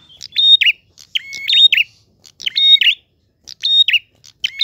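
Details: A clear-voiced prinia singing gacor ngalun style: repeated phrases a little under one per second, each with chipping notes, a flat whistle, a higher tone and a rippling descent, with a longer pause near the end.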